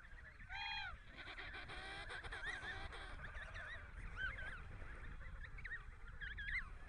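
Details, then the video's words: Emperor penguin chicks in Antarctica give high, warbling whistles that rise and fall, several overlapping in quick succession, over a steady low rumble of wind. "Emperor Penguin Chick Cute Sound"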